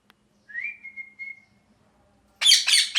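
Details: A long, steady, pure whistled note from a parrot, rising at the start and holding flat, then after a pause a loud run of rough, rasping squawks.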